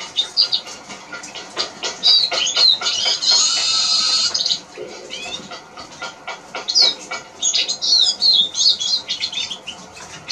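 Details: ['Eurasian siskin (Spinus spinus) song: chattering high twitters with a long buzzy, wheezing passage in the middle, then more rapid twittered phrases.']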